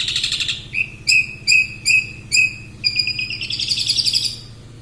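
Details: Long-tailed shrike in fast song: a buzzy high opening, then short clear whistled notes repeated roughly twice a second, ending in a rapid buzzy trill, with a low steady hum underneath.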